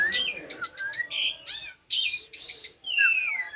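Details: Asian pied starling, called jalak suren locally, giving a varied song of whistled slurs, rising and falling notes and short chattering bursts, with brief pauses between phrases.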